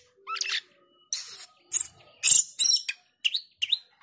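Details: Male black-winged starling producing harsh, grating bursts and loud rasping notes, ending with two short twisting whistles.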